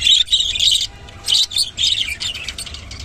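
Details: Rainbow budgerigar in short bursts of buzzy, scratchy warbling chirps, three or four clusters with brief pauses between them.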